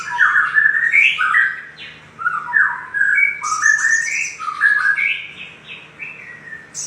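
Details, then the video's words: Little spiderhunter calls used as a lure to stimulate other birds: lively, varied chirped and whistled phrases between roughly mid and high pitch, loud and continuous with short pauses, and occasional sharp high squeaks. "Pancingan Sogok Ontong Sogon Gacor"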